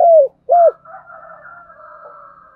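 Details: Spotted dove luring call (thúc gù): two loud, deep, rounded coos in quick succession, followed by a steady, soft droning hum.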